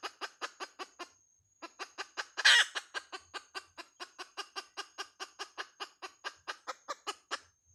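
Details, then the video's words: Hen calling with a fast run of short, sharp clucks, about three to four a second, with a brief pause near one second and one louder, harsher burst midway before the steady clucking resumes. "Suab poj qaib Dib tsauj tuaj"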